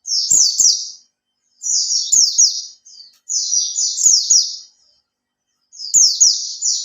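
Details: Captive Oriental white-eye, a three-month-kept bird beginning to open its tail, delivering high, sweet twittering bursts of quick falling notes, four phrases separated by clear pauses.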